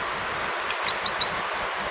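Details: Oriental white-eye song prepared as training audio for caged birds: quick, high, twisting whistled notes looping up and down in a continuous chatter over a soft hiss of rain-like background noise.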